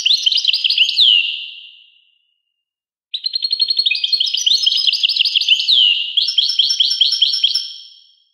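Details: European goldfinch song: a fast twittering phrase ending in a downward slur, a three-second silence, then a longer run of tinkling, rapidly repeated liquid notes and trills.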